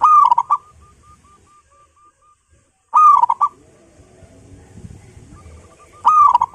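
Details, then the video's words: Loud song of a home-kept local zebra dove: booming rolling coos about three seconds apart, separated by a soft even series of short staccato notes, with faint low rumbling noise in the gaps. "PERKUTUT LOKAL GACOR PALING GACOR SUARA BESAR"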